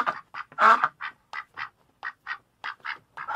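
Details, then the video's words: Duck calling with one loud harsh quack among a steady run of shorter, softer quacks spaced roughly a quarter second apart. "TIẾNG VỊT KÊU QUẠC QUẠC 2024 (DUCK QUACK)"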